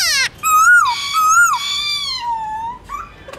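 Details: Black-throated laughingthrush singing morning forest-style song to train young birds: long, pure whistles swelling and wavering, slowly drifting downward over about two seconds, with a final brief upslur.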